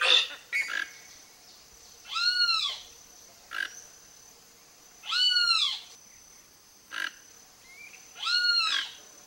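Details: Toco toucan at Cecropia fruit in Brazil gives three harsh, arching, grating calls roughly three seconds apart, with brief clicking notes between them and a faint steady high hiss behind.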